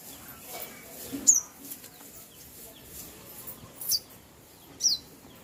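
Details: Three single high, sharp chirps from a bird, each a quick downward slide, spaced about one to three seconds apart against soft background noise.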